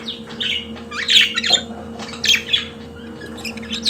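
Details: Pet budgerigar giving a scratchy, chattering warble of short buzzy squawks and squeaks in irregular bursts, with quieter stretches between and a faint hum.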